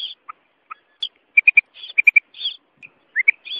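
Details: Female common quail calling: short, sharp notes in quick triplets, two sets about half a second apart, mixed with higher chirps, brief lower notes and scattered squeaky calls throughout.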